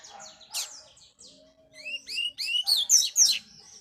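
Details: Double-collared seedeater, a tournament bird being trained in the bush: scattered high chirps, then a quick run of rising and falling whistled notes that builds into loud, sharp, downslurred phrases near the end.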